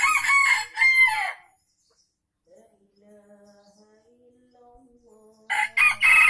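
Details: Used for luring wild birds, Aceh junglefowl crows come in two bursts: a harsh, pulsing crow at the start and another after several seconds of soft, steady background tones.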